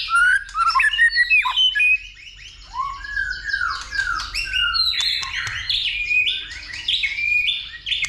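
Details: Fighting song of a white-rumped shama: a rich, continuous stream of fluty whistles, slurs and sharp notes, changing phrase every second or so, with faint low hum behind.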